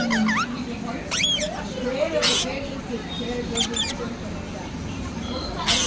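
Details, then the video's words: Parrot giving short, squeaky, rapidly warbling calls in three separate bursts, with sharp hissy noise bursts between them and a steady low indoor hum underneath. "parrot sound"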